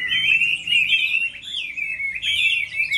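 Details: Chinese hwamei in moulting season, singing in contest style: a sustained, piercing whistled phrase that wavers and slides with little break, rising and falling slightly.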